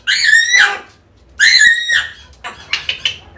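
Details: African grey parrot calling to draw a lost bird home: two loud, harmonic whistled calls about a second apart, each rising then dropping, followed by a run of short scratchy clicks and chatter.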